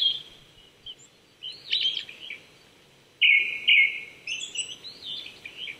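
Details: Morning song of a Japanese thrush at 800 m in Chichibu, Saitama, Japan, in April: a faint whistled phrase, a pause, then a louder burst of warbled and buzzy notes with high thin trills following.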